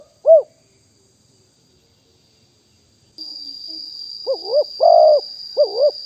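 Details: Wild spotted dove from Nong Khu Phai, recorded live in 2021 as a decoy. A lone coo, a long silence, then a steady high electronic whine starts under several paired, burry coos.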